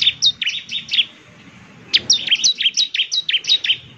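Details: Bar-winged prinia song for making other prinias respond: bright, sharply falling high notes given in a quick series, a brief lull around the middle, then a steady run of repeated chirps.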